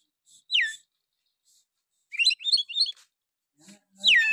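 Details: Oriental magpie-robin song used as a lure to provoke other males into singing: a loud falling whistle, then a burst of quick chattering notes, then another descending whistled phrase, separated by short silences.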